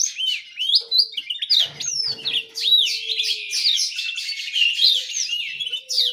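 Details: Small canary in full, continuous song: dense, high, rolling warbles and twitters with quick rising and falling whistled notes, varied phrases running together without pause.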